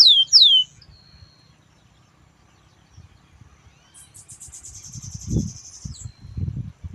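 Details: Rufous-collared sparrow singing at 5 in the morning: two loud slurred descending whistles, then after a pause a dry, high, even trill lasting about two seconds, over low rumbling background noise.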